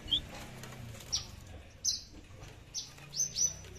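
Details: Tame captive Horsfield's bush lark (Mirafra javanica), an 'aliena' type said to come from Papua with no bass in its song, gives about six high, thin chirps in under four seconds at an uneven pace over faint hum.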